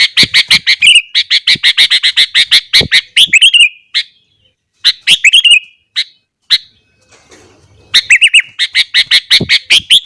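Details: Morning song of a sooty-headed bulbul, said to provoke other bulbuls. A rapid burst of sharp chirps opens the recording, a long pause follows with only a few isolated notes, then quick bubbling phrases resume near the end.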